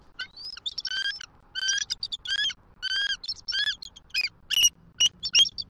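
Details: Wild bald eagles nesting in Southwest Florida trade morning greeting calls as the female reluctantly leaves the eggs for the male to incubate, 6 December 2023: loud, squeaky, harmonic chirps in quick bursts, pausing between bursts, some sharper high notes.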